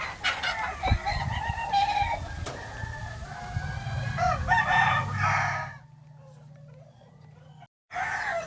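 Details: Chickens on a farm in Hawaii on a warm morning: several calling together, harmonic crowing and clucking overlapping about five seconds before fading, then a brief burst returns over low rumbling background.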